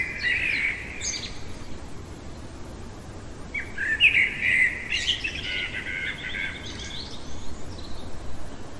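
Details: Night-time song of a common blackbird: a rich, fluting phrase opens the recording, then a quiet spell, then a longer warbled phrase that breaks into scratchy high twitters.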